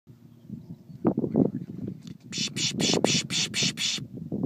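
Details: Willow Ptarmigan at Nome in June 2013: low guttural croaks, then a harsh, rasping rattle of about six quick pulses, each roughly a third of a second apart.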